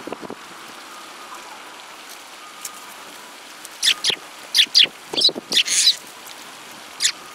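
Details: Eurasian tree sparrows in a group, 30 December 2017: after a few quiet seconds, a burst of short, sharp high chirps arrives in uneven succession, ending with one isolated note, against faint steady background noise.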